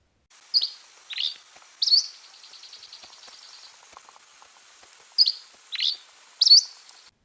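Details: Dusky Flycatcher song: a complex series of short, high, slurred phrases mixing rough burry notes, clear whistled notes and a buzzy trill, repeated twice.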